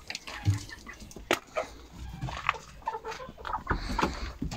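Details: Chickens kept by a hen-keeper on Monday, 10 October 2022, a day with eight eggs laid; short scattered clucks and low murmurs come and go over a busy, noisy background.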